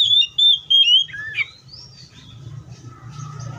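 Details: Wild Oriental magpie-robin gives three bright whistled notes, then a looping, falling phrase, trailing into faint softer warbles and a low steady hum.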